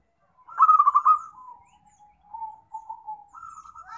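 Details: Zebra dove, with its call played as a trapping lure: a loud, stuttering, trilled coo lasting nearly a second, then a long series of soft, level, lower coos and a slightly higher closing phrase.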